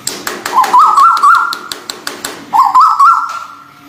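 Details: White-billed bulbul, local or Malaysian bird. Two short whistled phrases of quick wavering notes that step up to a sustained, even tone, with sharp taps and clicks in the background.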